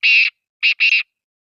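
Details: Kala teeter, the black francolin, recorded in Sindh, Pakistan, giving a rasping, buzzy three-note phrase: a long harsh note, a pause, then two quick grating notes, with no other sounds.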